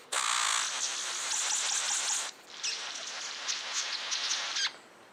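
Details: A King-of-Saxony bird-of-paradise gives two long, harsh, hissing bursts of about two seconds each, like crackling radio static, separated by a brief pause.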